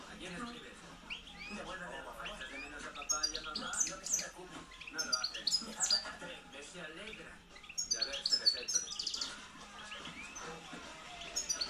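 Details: Caged European goldfinch, a hand-reared 2013 bird of the campero type, singing loudly. Bursts of high, rapid twittering and tinkling notes come in clusters around a faint murmur of voices in the background.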